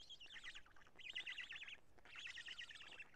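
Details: At Karula on 2 June 2017 in the evening, during black stork nest change and feeding, three buzzy phrases of rapid zigzag notes, each phrase under a second long.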